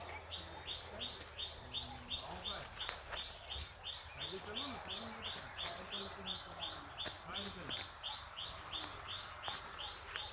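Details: Birds singing on a farm, one giving a high upslurred chirp repeated in a steady rhythm, with a low hum and quiet human voices in the background.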